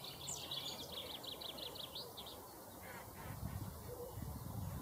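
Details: Male chaffinch delivering a quick run of repeated high, sharp notes at the start, then quieter; low rumbling noise throughout.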